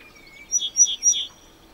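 Cretzschmar's bunting sings a brief phrase of three clear, slightly buzzy whistled notes at an even pace, with a faint thin whistle just before.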